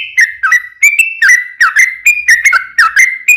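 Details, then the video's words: Sooty-headed bulbul in full song, used to coax other bulbuls into singing back: a steady series of clear, fluty whistled notes, each slurring down or up, delivered in quick succession with no other sounds. "SUARA trucukan gacor ropel panjang PANCINGAN TRUCUKAN agar bunyi"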